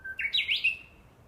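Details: Japanese bush warbler in July 2014 in woodland by an imperial tomb behind a house: a low held whistle jumps abruptly into a bright, warbled flourish that slides down and fades.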